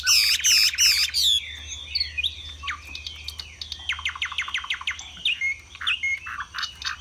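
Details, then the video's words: Chinese hwamei kept as a Vietnamese cage bird, displaying and singing high. Loud, harsh, high notes open the clip, followed by a rapid string of clipped notes and scattered whistles over a faint low hum. "Họa mi xòe vip, xòe bền, hót cao cầu"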